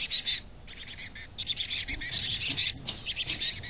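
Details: Chickadees at a nest box in North Vancouver: a dense run of high, thin chirps and twittering notes, nearly continuous, with short gaps and a steady low background hum.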